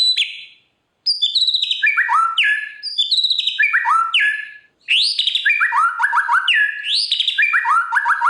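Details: White-rumped shama singing a rich 'bongkar isian' repertoire of mimicked phrases: cascades of descending whistled notes, upward sweeps and quick repeated chips in rapid, continuous bursts after one short pause.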